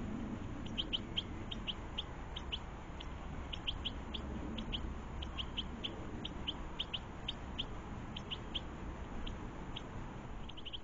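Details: Garden European goldfinches and their young feeding; continual high, short chirps in bursts of two to four throughout, over soft broadband background noise.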